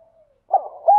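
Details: Spotted dove kept as a decoy to lure wild doves gives a brief fragment: a faint thin tone, then a rough note and a swelling rounded coo.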